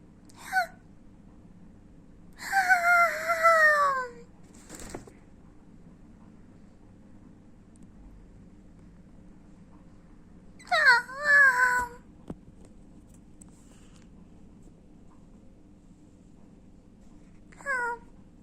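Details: Cockatiels yawning give a few soft, wheezy, falling squeaks spaced several seconds apart in a quiet room.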